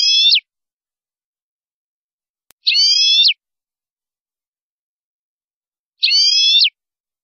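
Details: Aviary-kept European goldfinch of a colour mutation giving drawn-out, buzzy, nasal notes about half a second long, three in seven seconds at uneven gaps, with silence between.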